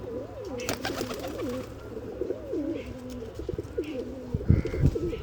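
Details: Pigeon cooing in wavering, low tones that rise and fall through the clip, over a steady low rumble with a few clicks near the end.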